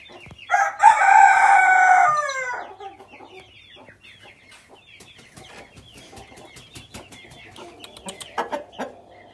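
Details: Dark silver partridge Brahma rooster crowing: one loud, harsh, drawn-out crow lasting about two seconds, followed by quieter clucks and clicking, with other birds chirping in the background.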